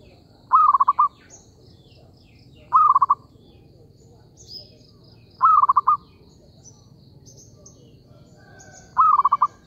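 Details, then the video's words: Trapping lure call of a zebra dove. Stuttering cooing bursts of quick pulses come every two to three seconds, with thin, scattered high-pitched bird notes behind them. "B.ẩy cu vằn"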